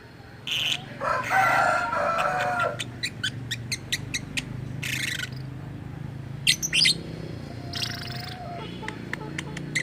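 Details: Lovebird with strange calls described as mimicking human speech: a long raspy chatter, then rapid thin clicking ticks and brief squawks, over a low hum.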